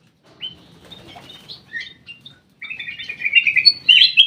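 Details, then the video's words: Black-crested bulbul in an aviary, first giving scattered short chirps and whistled notes, then after a brief pause breaking into a louder run of rapid, warbling whistles that grows stronger toward the end. "BURUNG CUCAK EMAS \ KUTILANG EMAS SUARA MAKIN BENING"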